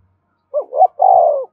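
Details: One spotted dove coo phrase, prodding song used to make newly caught birds call along: two short rising notes, a brief gap, then a long, even, low coo.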